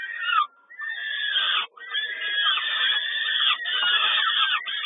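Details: Peregrine falcon at Kawęczyn during a feeding on 10 May 2022: harsh, dense, wailing begging calls run almost continuously, with rough overlapping screeches and a brief pause near the start.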